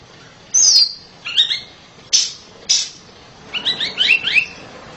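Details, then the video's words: Oriental magpie-robin kept at home, singing loudly in spaced fragments: a high downslurred whistle, twittered notes, sharp single chips, then a quick cluster of buzzy, upswept notes. "KACER RUMAHAN KICAUNYA NYARING"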